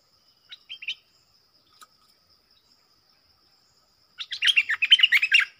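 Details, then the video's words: Wild streaked bulbul, likely male: three short chirps early on, a long pause, then a dense run of about ten rapid, warbling notes near the end. A steady high insect whine runs underneath throughout. "เสียงต่อนกดอกแตงEp.43 มาทั้งครอบครับ!!Burung merbah lekir | bay hoanh hoach thom"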